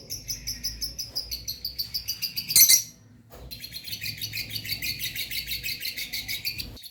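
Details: Soothing chirps from two pet lovebirds: rapid, even high twittering that builds to a loud harsh squawk, drops briefly quiet, then resumes as dense chattering trills.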